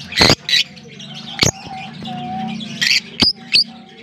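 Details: African lovebirds kept as a colony in Larkana give a few loud, harsh shrieks separated by pauses, over a steady low hum and faint background chirping.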